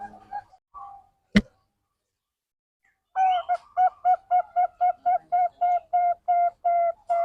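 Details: Bangkok zebra dove, used as a lure for other birds to sing: after soft scraps and a loud click, a rhythmic string of short, bright, evenly spaced notes runs to the end.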